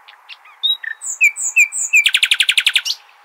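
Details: Nightingale in Al-Hasaniya style, for training young goldfinches and hybrids. Soft notes and whistled slurs build into a fast rattling series of about ten loud repeated notes.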